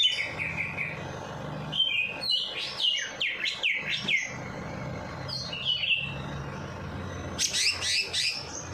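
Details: Bird song meant to stir a lazy bird into singing after its night bath: a varied burst of high chirps, rising and falling whistled notes in quick succession with pauses, ending in a loud buzzy high phrase, low steady hum beneath.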